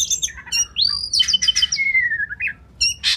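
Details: Oriental magpie-robin tutor song for contest birds: a chattery opening, then one long clear whistle rising and gliding down over about two seconds, closing with a harsh buzzy burst.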